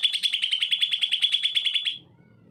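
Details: Greater green leafbird singing energetically, used to prompt reluctant leafbirds to sing: a fast run of bright, chattering notes repeated about ten times a second at even pitch for two seconds, then it stops abruptly.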